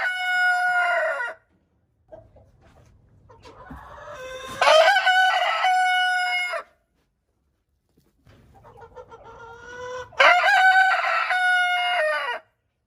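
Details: Two full crows from a Leghorn rooster about six seconds apart, each a rough, broken onset swelling into a long, loud, level harmonic note that ends abruptly, with a fading crow at the start and soft scuffling between.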